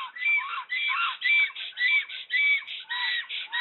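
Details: Black storks at a nest in RDLP Łódź, Poland, 15 April 2020, as a new female successfully attacks and the male gives up. A steady series of hoarse, harmonic whistled calls comes roughly every half second.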